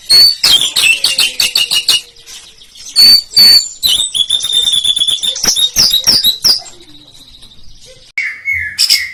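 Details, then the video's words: White-rumped shama, a prolific singer, in a lure recording of rough rolling bursts meant to provoke rivals: rapid, harsh, high chattering notes in dense volleys, then clearer whistled phrases and sharp metallic chips near the end. "Pancingan Murai Batu Gacor Tembakan Ngerol Kasar Bikin Lawan Langsung Emosi"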